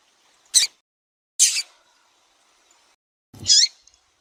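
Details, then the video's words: Captive female double-collared seedeater calling to stimulate a male. Three sharp, high chirps, the last one longer and downslurred, with a faint low knock. "FÊMEA DE COLEIRO CHAMANDO MUITO QUENTE FOGOSA E PIANDO"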